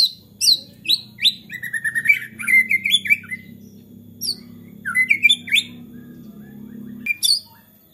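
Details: White-rumped shama singing in an excited, agitated mood that draws other shamas into song; rapid mix of high downslurred whistles, chattering notes and warbled phrases, with a steady low hum underneath.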